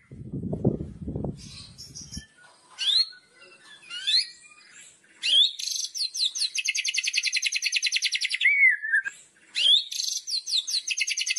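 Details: Murai batu (white-rumped shama) kretekan song meant to provoke other birds: after a brief low rumble, scattered whistled notes, then a fast high rattle and a falling whistle, with the rattle resuming.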